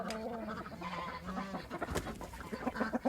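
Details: Chicken in a barnyard, heard close, making drawn-out nasal calls that break into quick stuttering clucks, plus a short flap-like burst near two seconds.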